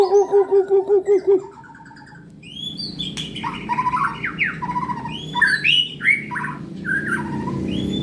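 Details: Contest-ready white-rumped shama in full song: it opens with about seven low, evenly spaced hollow notes, pauses, then bursts into a lively sequence of rising and falling whistles and sharp upward sweeps.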